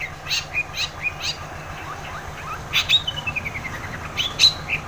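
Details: Lure song of a long-tailed shrike for shrikes that are reluctant to sing: spaced high chirps, then a descending run of beaded notes and a final sharp whistle, over a low hum.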